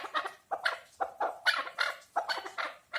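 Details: Chukar partridge calling in a rhythmic series of harsh, clucking notes, bursts repeated about every half second, each note broad and chattering, loud and close with little background.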